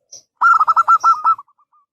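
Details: Local zebra dove, a frequent singer, delivering a short burst of its lure song: about eight quick, bubbling coo notes in under a second, trailing off into faint soft notes.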